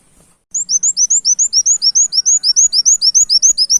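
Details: Loud, clear canary-like song of a brown-throated sunbird, the tembak kenarian style, used on a bird-luring recording: after a brief silence, a very regular rapid series of high, hooked, sharply descending notes, about three and a half per second, continuing to the end.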